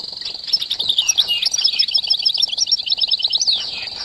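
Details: Training recording of goldfinch song for caged birds: a steady stream of high, slightly buzzy twitters and quick slurred notes under a faint continuous hiss.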